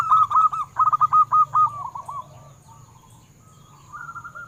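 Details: Local zebra dove song used to prompt captive birds to sing: opens with roughly ten quick, loud staccato coos in a tight rhythmic series, then fades to faint cooing and quiet before another phrase begins.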